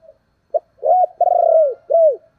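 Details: Decoy spotted dove in thúc and calling coo: a brief sharp note, then a rising coo, a long level buzzy coo and a final arched falling coo, clear against silence.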